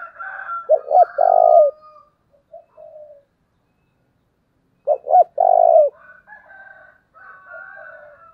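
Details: Decoy dove repeating its phrase twice, about four seconds apart: two short low hoots and a long vibrating coo, with softer coos and higher bird chatter around it.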